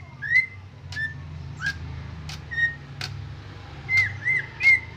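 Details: Greater green leafbird (Chloropsis sonnerati) song: short, clear whistled notes at an uneven pace, mixed with sharp clicking ticks over a low steady hum.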